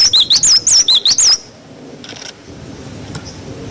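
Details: Cinereous tit (glatik batu) singing its 'wucit wucit' style, used as tutor song for untrained young birds: a quick run of about eight high, sharp two-part whistled notes over 1.4 seconds, then near silence.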